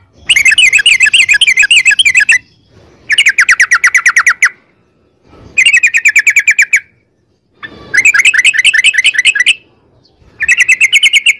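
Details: Yellow-vented bulbul in long rapid rattling song, used as a lure so caged bulbuls answer and sing. Loud, fast, even trills lasting about two seconds each, repeated five times with short silent gaps.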